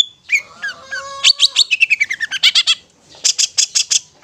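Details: Long-tailed shrike in ngetet style, a therapy song to prompt stressed or mute shrikes: falling whistled notes, then a rapid string of squeaky notes stepping downward, ending with repeated harsh bursts.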